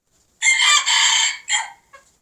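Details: Red junglefowl crowing, an older male calling alongside young learning males; a loud harsh broadband crow of about one second, broken into two sustained phrases and a short clipped tail, then a faint trailing note.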